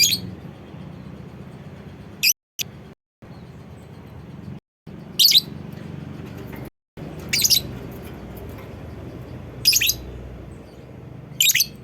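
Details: Lovebird call used as a prompt for other lovebirds to sing: scattered shrill, raspy chirps, some doubled, at irregular intervals, broken by short silent cuts in the recording.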